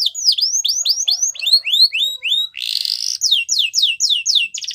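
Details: Yorkshire canary training song for young canaries, with rapid repeated downward-sweeping whistles, a short harsh buzzy burst in the middle, then more quick falling whistles ending in a brief rattle.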